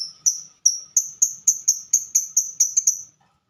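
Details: Lovebird in typing-style fighter song: a steady run of about a dozen short, high, sharply rising chirps, roughly four per second, stopping abruptly before a brief silence.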